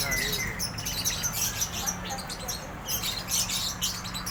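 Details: Drongo, called sri gunting, in lively gacor singing: rapid high chirps and short whistled notes in quick bursts, with a faint low hum underneath.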